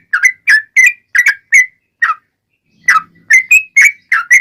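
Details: Yellow-vented bulbul long-rolling song used to make other bulbuls sing back. Quick whistled slurs give way to a silent gap of nearly a second, then the bubbly notes return with a soft low hum.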